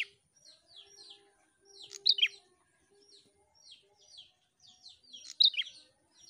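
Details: Prinia in lively, nonstop song, played to stimulate other prinias to sing: loud paired sharp notes falling in pitch, repeated about every three seconds, with softer high twittering chirps between them and a faint low hum.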